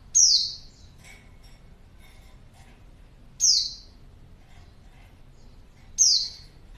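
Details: Female white-eye calling to lure a male: loud high downward-sweeping chirps, buzzy and thin, given about every three seconds over faint background hiss.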